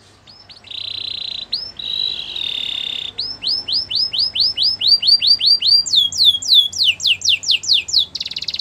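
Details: Canary training song: buzzy trills, then a rising sequence of repeated arched whistles growing louder, ending in fast high downslurred notes and a short rattling roll.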